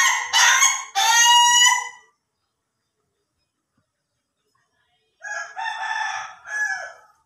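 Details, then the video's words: Laughing-chicken crow from an Ayam Ketawa: two loud harsh harmonic bursts, about five seconds of silence, then a softer run of choppy, laugh-like crow notes. "AYAM KETAWA SLOW VS AYAM KETAWA DURASI"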